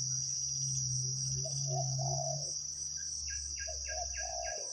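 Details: Deep drawn-out coos from spotted doves, a decoy bird and a big-voiced wild 'khu-ang' caller, during forest trapping. Buzzy cricket drone above, a low hum beneath, and a quick run of chirps from another bird near the end.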